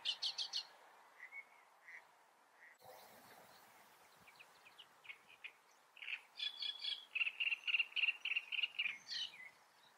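Great reed warbler song: loud, harsh, chattering phrases, including grating notes repeated rapidly several times a second, with some pauses between bursts.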